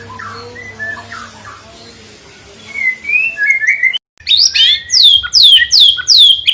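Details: White-rumped shama song opens faint and soft, then after a brief gap turns loud with a series of sharp descending whistled notes, each repeated about every half second.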